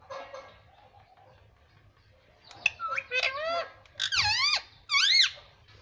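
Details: Pet parrot said to be talking "mummy papa": quiet murmuring at first, then a burst of loud, nasal, swooping syllables in uneven groups, each one bending down and up, with steady low hum.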